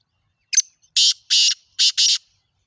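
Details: Black francolin, known locally as kala teetar, mushki teetar or Sindhi teetar, giving a loud harsh call: one short clipped note, then two grating rasping pairs of notes in quick rhythm, against a silent background.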